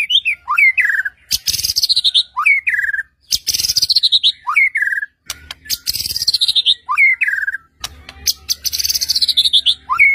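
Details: White-rumped shama song used to goad other shamas into answering: loud clear whistles that swoop up then fall, alternating with fast descending rattles and sharp clicks, phrases repeating every two to three seconds, a low hum behind.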